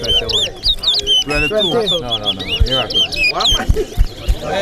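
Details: Large-billed seed-finch (towa towa) at a Corriverton singing match: whistled looping phrases at the start, then loud overlapping human speech and counting dominate.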